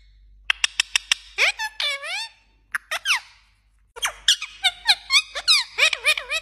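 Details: Pet parrot talking in Pashto indoors; a run of sharp high clicks and squeaks, then wavering whistled phrases, a pause, and more rapid clicks and bent whistled syllables.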